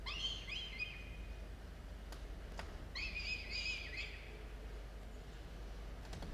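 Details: Falcon chicks on a camera-watched nest ledge at dawn, 27 October 2022: a short squealing burst, a few sharp clicks, then a second longer burst of wavering calls over low hum.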